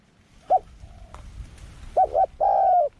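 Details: Young spotted dove on its first outing in the forest during training: a short mellow coo, then a pause with faint background rustle and a click, followed by two quick coos and a longer drawn-out coo.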